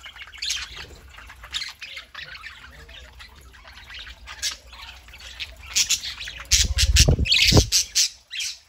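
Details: Pet budgerigars kept indoors, chattering on a Saturday morning: scratchy squawks and short chirps in irregular bursts, with louder thumps and clatter near the end.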